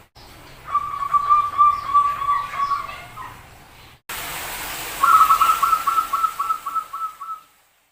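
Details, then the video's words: Zebra dove calling in an unusual way: a steady stream of quick, even, mid-pitched notes, then after a break a second series of fast repeated staccato notes slowing slightly toward the end, with hiss in the background. "Suara Aneh Perkutut"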